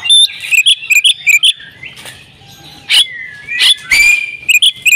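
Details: Agitated Oriental magpie-robin in fighting song: quick bursts of sharp, bright chirps, a long falling whistle, harsh rasping notes, then more rapid chirps.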